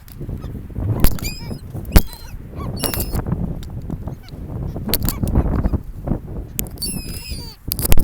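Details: Several seagulls at a sandy beach on a gulf, interacting with people: scattered short, squealing, wavering cries over loud, rough low rumble of wind and waves, with sharp knocks and bumps throughout.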